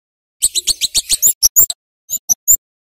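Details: Sharp, high flowerpecker chirps in a lure recording for young birds: a fast run of about ten piercing notes, some sliding up and down, then three spaced ticks after a short pause.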